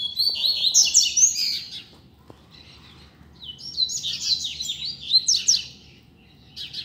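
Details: Loose double-collared seedeater singing in a street: two long phrases of fast, jumbled high chirps and rising whistled slurs, separated by a short gap, with a faint tick or two in the background.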